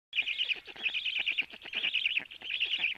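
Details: Black stork nest at 12:01 as the male feeds the storklets: high, buzzy trilled bursts repeat about every half second in four run-together phrases, over a scatter of dry clicking ticks.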